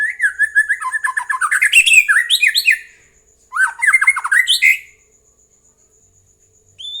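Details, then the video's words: Lure recording of white-rumped shama song for making other birds respond: loud, rapid, varied phrases of chattering and whistled notes pouring out for about three seconds, then a shorter second burst after a brief pause. "Pancingan murai jadikan burung anda ikut nyaut dan gacor"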